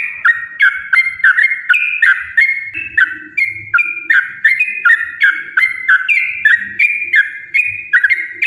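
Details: Long-running 'ropel' song of a yellow-vented bulbul, a lure to make other bulbuls sing. Loud, bubbly two-part whistled phrases repeat steadily about three times a second throughout, with slight rises and falls in pitch.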